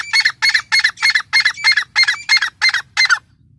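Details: A female grey francolin (teetar) gives a steady series of eleven short, hoarse, clucking notes, evenly spaced about three per second, then stops.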